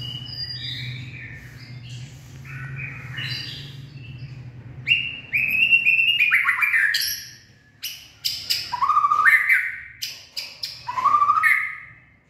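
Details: White-rumped shama, a purebred bird, singing in the late afternoon on 18 February 2024; after a low hum, bursts of loud whistled and trilled phrases around mid pitch, some falling and some rising, separated by short pauses.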